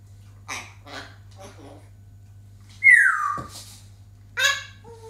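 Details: African grey parrot, kept as a pet, makes soft clicky chatter, then a loud falling whistle that slides downward, followed by a buzzy harmonic squawk, with a constant low hum behind.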